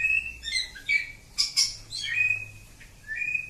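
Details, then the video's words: Village oriental magpie-robin singing: sweet steady whistles broken by two harsh noisy bursts, then a long level whistle and a final rising note. "Kacer Kampung. Super Ngacor panjang"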